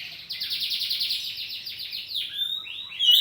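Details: Oriental magpie-robin, a kacer poci kept at home, singing ngeplong style in an exchange: a rapid, evenly repeated trill of sharp notes for about two seconds, then a few sweeping whistled notes.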